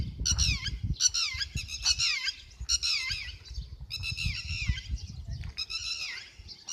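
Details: Red-wattled Lapwing, recorded in May 2022, giving loud, harsh, strident calls in quick bursts of several notes, each burst about a second apart, with low rumbling background noise.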